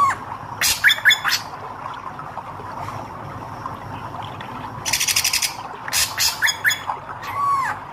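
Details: Red-eyed hair-crested drongo singing: loud rattling bursts and clicking chatters, ending with an arched whistled note.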